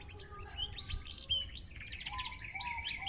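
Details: Canary in large posture; fast high varied song of trills, slurred whistles and buzzy notes, phrases shifting after about two seconds into rapid repeated chirps.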